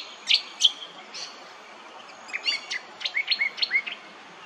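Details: Brown honeyeater at Hervey Bay, Queensland: two sharp high chirps, a pause, then a quick run of short rising whistled notes around the same pitch.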